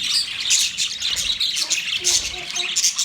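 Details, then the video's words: Budgerigars chirping in a dense, continuous chatter of high, scratchy warbles and squawky chirps that overlap without pause, with a few lower, short tonal notes appearing near the end. "Birds Chirping sound Beautiful Budgies sound Parrot relaxing voice"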